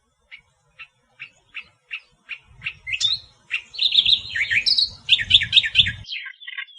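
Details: Australian reed warbler, natural song: a run of evenly spaced short high chips, then a rush of rich, varied, scratchy and whistled phrases repeated quickly, with a low rumble underneath.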